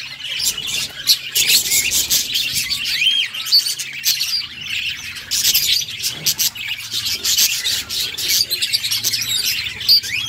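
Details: Budgies singing happily: a dense, nonstop stream of high chirps, twitters and scratchy warbles, busy and overlapping, with a soft low hum underneath.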